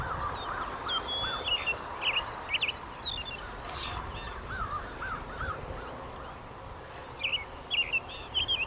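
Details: An American Robin in North America sings in short, clear whistled phrases, a few each second in loose groups, over a steady hiss with lower, softer notes underneath.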